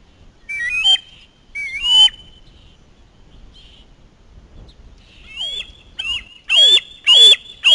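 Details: Young male osprey chick screaming at the nest as a parent flies in with a fish, then grabbing and mantling it. High, rising whistled screams come in short bursts, with two early calls, a quiet gap, then harsher rapid screams at the end.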